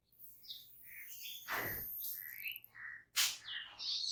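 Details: Jungle babblers, birds that move in small foraging groups, utter short chirps and rising squeaky notes, then a loud harsh burst near the end, amid quieter outdoor background.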